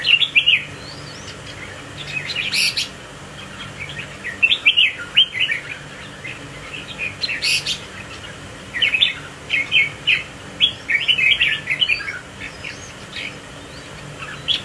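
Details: Red-whiskered bulbul ('mào đinh' type), swaying in display, gives a long string of short whistled and chirped notes in irregular bursts. Two sharp loud clicks stand out early on, and softer chirps fill the gaps.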